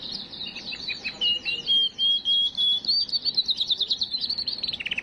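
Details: Canary singing to excite and ready females for breeding: quick chirpy notes, a series of long level whistles, then fast repeated notes rising into a dense rolled trill.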